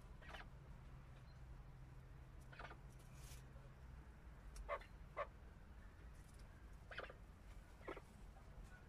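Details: Chukar partridges calling: short, harsh, clucking bursts scattered through the clip, a closely spaced pair in the middle, over a low, steady background rumble.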